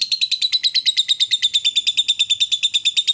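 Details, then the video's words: Lovebird in ngekek, the long chatter, excited after being provoked: an unbroken run of fast, harsh, buzzy pulses at an even rhythm throughout three seconds. "Lovebird diam langsung Nyambar, Emosi Naik Gacor Ngetik Lanjut Ngekek"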